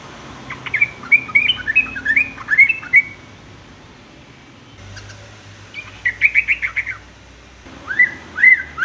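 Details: Sooty-headed bulbul phrases recorded as a training model for young males, three separate bursts of chattering, bubbling whistles with up-and-down notes and short pauses between them.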